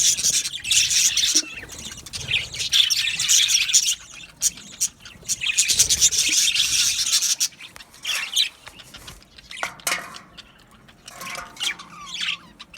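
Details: A colony of Australian budgies in an aviary gives a long, busy high-pitched chattering warble, then thins to scattered chirps and short squeaky notes.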